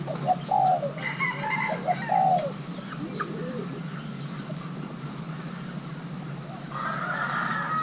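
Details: Young male Thai-hybrid spotted dove while pairing gives two quick coo phrases at the start, then quieter notes, before a steady broadband hiss rises toward the end.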